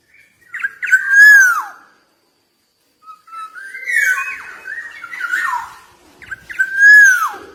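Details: Black-naped oriole from Java singing energetically: three phrases of mellow whistles, each built around a loud, rich note that swells and then slides down, separated by a brief silence.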